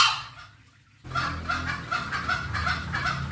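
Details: Green junglefowl lure call to draw the birds near: after a brief fading note and a near-silent gap, a steady string of short clucks at about two and a half per second.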